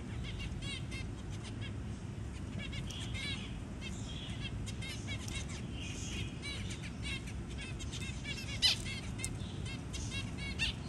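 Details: Zebra finch parent feeding a newly hatched tiny chick; faint, rapid high ticking and buzzy begging-like chirps in short bursts over a steady low rumble of background noise.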